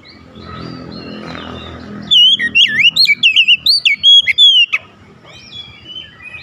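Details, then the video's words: Oriental magpie-robin responding with agitation to an opponent's song, delivering a dense two-and-a-half-second string of rising and falling whistles and twisting slurs, with softer warbling after it and low background noise. "SEKALI BUNYI KACER LAWAN LANGSUNG NAIK EMOSI BONGKAR ISIAN"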